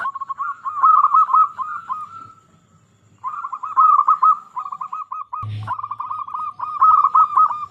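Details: Zebra dove, local bird in strong song used to provoke others. It gives long, continuous rolling phrases of rapid coo notes, a two-second pause, then more trilled runs, with one low bump partway through.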